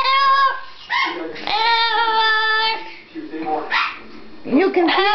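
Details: Pet blue-fronted amazon singing indoors, long steady held tones stacked with harmonics, broken by short breathy syllables and a quick wavering phrase at the end, voice-like and melodic.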